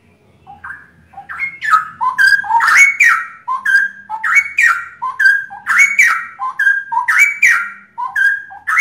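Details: Three straw-headed bulbuls sing together, giving loud, rich, bubbling whistled phrases, rising and falling and repeated about every second, overlapping, with a faint low hum.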